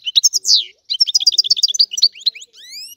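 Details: European goldfinch of the Sicilian type in a rare, old-style song: bright chattering notes, a drawn-out buzzy slur, then a quick run of clipped twitters, ending in several rising thin whistles.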